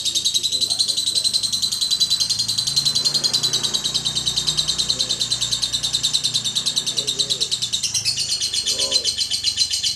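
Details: Champion contest lovebird from Klaten, Indonesia, whose ngekek song is said to last up to three minutes in contests: an unbroken, very high, rapid buzzy chattering trill running throughout, with faint human voices murmuring underneath.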